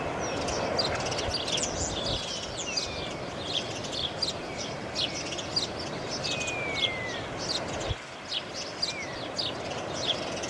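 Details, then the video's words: A May dawn chorus with dense overlapping songbird notes, quick high chirps and a few longer downslurred whistles standing out, while a low steady rumble runs underneath. "A May Dawn"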